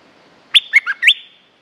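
A stripe-throated bulbul gives one short, bubbly phrase of four quick, liquid whistled notes, rising and falling over about half a second. The background is quiet.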